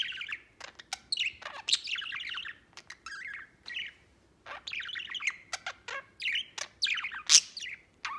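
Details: White budgerigar kept at home, singing: chattering warbles and chirps in phrases of one to two seconds, separated by short pauses, with sharp clicks mixed in.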